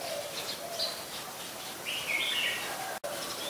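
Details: Oriental magpie-robin, a very common resident, singing at Ubon Ratchathani, Thailand, 26 December 2020, recorded with a Nikon P1000: a short high note, then a sweet warbling phrase of rising and falling whistles, with faint low cooing and steady hiss behind.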